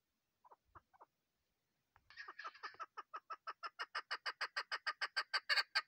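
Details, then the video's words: Female chukar partridge call used as a hunting lure: after a few soft notes, a fast series of harsh clucking notes begins, repeated about three times a second and steadily growing louder. "shikar ki bahrareen madi awaz keklik sesi chakor birds voice awaz sound bast female shikari"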